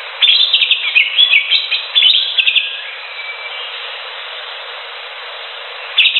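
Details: Wild green leafbird singing in nature: a rapid burst of sharp, varied chirps and trills for about two and a half seconds, a thin fading whistle, then quiet before a new burst starts at the end.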